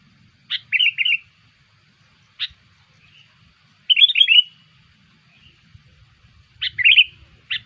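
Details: Sooty-headed bulbul lure call used to attract other bulbuls: short bubbly, warbling phrases of quick chirps, each preceded by a sharp vertical note, in three bursts separated by pauses; quiet background.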